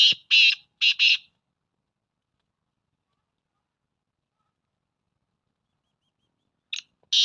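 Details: Black francolin (kala teetar), recorded 12 February 2024: two pairs of loud, harsh, grating notes, a long silence, then two more rasping notes.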